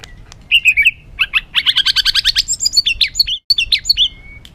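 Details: White-rumped shama in an agitated, rough song used as training material to rouse other birds: varied phrases of clear chirps, then a fast run of sharp repeated notes, followed by high whistled and buzzy notes.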